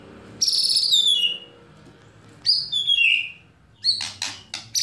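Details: Competition-style white-rumped shama song with imitated fill-in material favoured by judges: two bright whistled phrases falling in pitch, then a burst of harsh, rapid chattering notes at the end.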